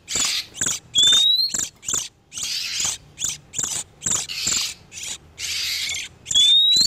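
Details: Oriental magpie-robin, male and female in breeding condition, used as a lure to draw in wild birds for trapping: dense series of harsh, scratchy, buzzing bursts broken by short gaps, with two clear, thin whistles sliding upward near the start and end.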